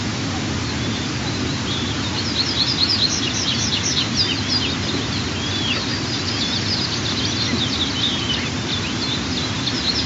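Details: White-tailed eagle eaglets, 23 and 25 days old, begging at the nest during the first morning feeding on 15 June 2023, 04:42–04:52. High, thin chirps come in quick, ragged runs over a steady low rumble.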